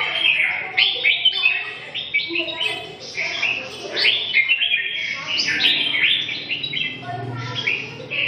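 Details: Dense, lively warbling by a red-whiskered bulbul, clusters of fluty, slurred notes tumbling over one another almost without break, with a faint low murmur beneath.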